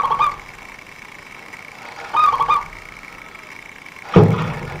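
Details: Zebra dove of local stock, its quick dense song used to lure birds for trappers: two brief rolling coo phrases about two seconds apart, ending in a heavy thump.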